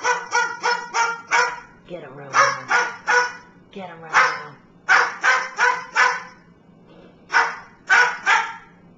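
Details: Pet bird acting as a watchdog, producing a dog-like bark: harsh, broadband barks repeated in quick series of two to four, with laughter and a person urging it on.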